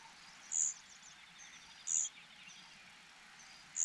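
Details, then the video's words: Hungry cuckoo chick begging: short, very high, thin piercing notes sounding about every one and a half seconds, with faint buzzy trills and a steady insect-like hiss in the background. "Cuckoo birds are so hungry."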